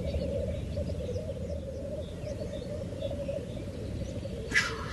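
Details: Black grouse in a steady low bubbling chorus, rolling on without pause, with faint higher bird notes and one short sharp hissing burst near the end.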